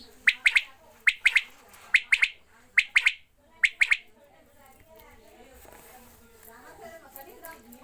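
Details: Quails being watered give clipped, high chirps in pairs and triplets about once a second for four seconds, then the calling stops and murmured voices and rustling fill the rest.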